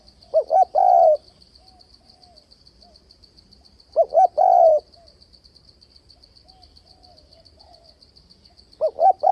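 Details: Spotted dove cooing in the 'đảo giọng kèm bo' manner to attract doves to traps. Three phrases come about four seconds apart, each a pair of short hoots leading into a long coo, over a continuous fast-pulsing high tone.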